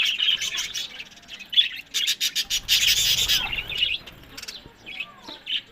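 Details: Budgerigars bred as pets in Larkana, Sindh. Bursts of sharp chirps and twittering come in uneven spurts, interrupted by rapid clicking and rustling, then fade to softer isolated calls.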